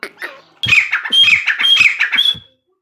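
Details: Female partridge call recorded for jungle hunting (shikar): a run of about five harsh, squawking notes with bright whistled overtones, delivered in quick succession, with soft low thumps beneath each note, then silence.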